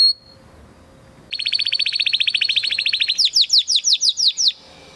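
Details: Training song from a Spanish Timbrado canary of 2020 breeding: a single high note, silence, then a long rapid, even, buzzy trill shifting to slower, louder falling whistles about three per second.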